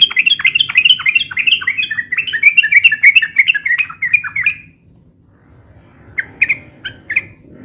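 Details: Yellow-vented bulbul singing a long, rapid, noisy song used for bird luring and tutoring: a dense stream of descending slurred notes for nearly five seconds, then a pause and a few separate chirps.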